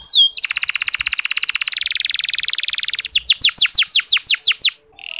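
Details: Canary ngeriwik song, used to coax reluctant male canaries into singing: a brief upswept note, then a long fast buzzy trill lasting nearly three seconds, followed by loud descending chirps in quick succession and a short pause.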